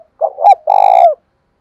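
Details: Decoy spotted dove with a 'thổ pha' voice, calling to draw wild doves into a fight: a short coo, a rising second coo, then a sustained, rapidly throbbing coo that drops at the end.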